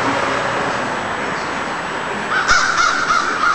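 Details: Crows caw after a steady noisy stretch, a quick run of short harsh calls beginning past the midpoint and continuing to the end.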